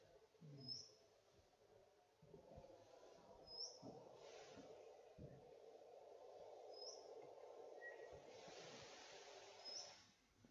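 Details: Golden whistler giving what is described as its contact call, a high, thin, rising whistled note about every three seconds, over a steady low hum.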